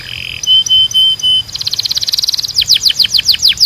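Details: Belgian canary song opening with short clear whistled notes, then a fast dense rattle and a run of quick downward-slurred chirps repeated several times a second.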